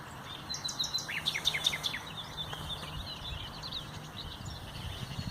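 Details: Common nightingale singing on 30 April 2021: a quick burst of sharp, high, clipped notes and short slurs in the first two seconds, followed by softer scattered chirps over a low background hum.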